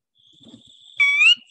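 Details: Typical call of a sora, a rail of cattail marshes by water, often heard rather than seen: one loud, clear whistled note rising slightly, lasting about a third of a second, after a thin, faint, steady whistle.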